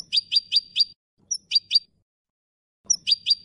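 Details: Malaga-style European goldfinch song used for teaching young birds: rapid series of bright, high chirps, four in a row then groups of two and three, with faint low background hum.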